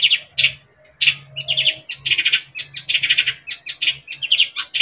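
Long-tailed shrike giving harsh, scratchy chattering phrases in rapid high bursts, almost without pause, over a faint low hum.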